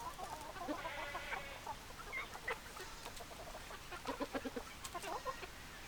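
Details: Chickens, hens and roosters: a busy chorus of overlapping clucks and brief squawks, with a dense run of short clucks near four seconds.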